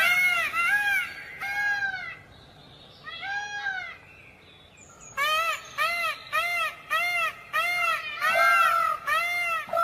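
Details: Peafowl calling loudly: a few drawn-out, arching nasal wails with gaps between them, then a fast run of about seven short, harsh, honking calls repeated roughly twice a second.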